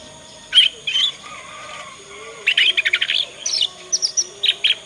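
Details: Young Yorkshire canary learning its song, a twittering 'ngriwik' lure meant to coax other canaries into answering: two early chirps, then a rapid run of repeated high notes near the middle and spaced sharp chirps toward the end, over a steady faint hum.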